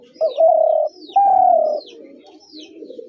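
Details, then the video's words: A spotted dove delivers a pair of loud, level coos, each over half a second long, over a background of softer cooing and high, descending chirps from small birds. "তিলা ঘুঘুর আরজিনাল ডাক"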